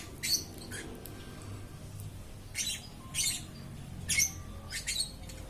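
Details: Lovebird chirping without stopping: scattered shrill, scratchy chirps, some with thin whistled overtones, spaced irregularly with brief pauses, over a faint low hum.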